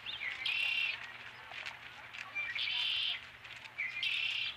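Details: Nest-cam osprey holding a fish on an April evening in 2017: three bursts of shrill, rapid high-pitched chirping, each under a second long and spaced roughly one and a half seconds apart, with a low hum beneath.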